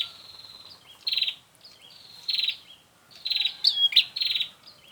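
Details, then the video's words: Prinia lure sound for catching birds: a run of high, rasping pulsed buzzes, each about a quarter second, alternating with thin level whistles and a few quick twisting chirps near the end. "Suara untuk memikat burung prenjak"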